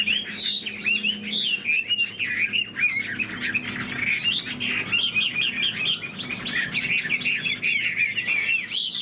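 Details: Caged Chinese hwamei, a fan-tailed bird, singing a long, rich run of loud whistled phrases that swoop up and down, with quick slurred notes and a faint low hum indoors.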